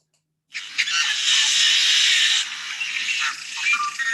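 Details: A male yellow-headed blackbird in spring sings a weird, noisy song: a harsh, buzzy, grating screech lasting about two seconds, followed by a few scratchy clucks and short nasal notes.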